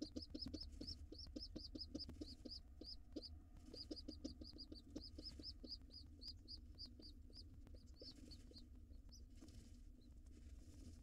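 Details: Young nestlings of wild rock pigeons at the nest while the white male and gray female parents are both present. Rapid high squeaky peeps run in long series, then thin out and fade, over low rumbling and scratching.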